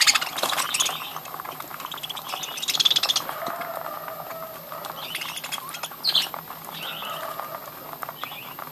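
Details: Busy budgerigar breeding colony: dense, overlapping high chirps and squeaky warbles, with a louder flurry near three seconds and quieter chatter running underneath.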